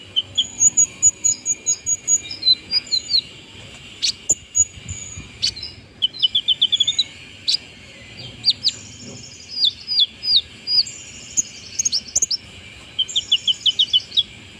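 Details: After moulting, a brown-throated sunbird sings steadily in 'nagen' fashion: fast chattering bursts of thin, high chirps and sweeping descending whistles, delivered in rapid trills with short pauses, a faint steady hum beneath.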